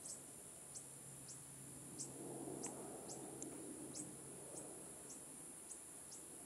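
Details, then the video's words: A juvenile fork-tailed sunbird in Hong Kong gives thin, very high, down-slurred chips, roughly two a second and a little uneven, over a steady high insect hiss and faint background rumble. "Fork-tailed Sunbird Juvenile/Baby Call"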